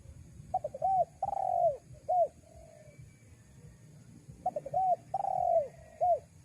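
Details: Spotted dove calling to lure wild doves: a triple stuttering lead-in, a drawn-out falling coo and a short final note, the full phrase given twice with a pause between, over a low steady hum.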